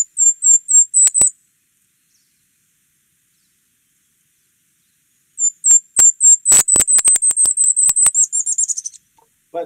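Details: Golden-crowned Kinglet song, sung from high in the canopy: very high, soft, thin notes that start slow, then speed up like a bouncing ball into a quick tumbling run before a lower chattering finish.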